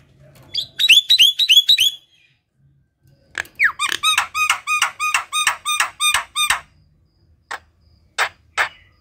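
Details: A lively Javan myna sings to spur lazy, silent mynas into voice: two long runs of rapidly repeated, rich, harmonic whistled notes, each note slurring down, with a pause between, and a few scratchy notes after.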